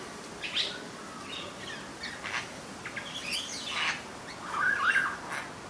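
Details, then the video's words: A satin bowerbird at Merewether Heights, NSW, Australia, sings a scratchy jumble of chirps, buzzy whirring bursts and a brief warbled phrase near the end, over a steady low hiss. "Satin Bowerbird Singing"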